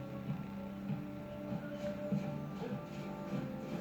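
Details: A steady low indoor hum with faint droning tones and soft machine-like clicks; no animal call stands out.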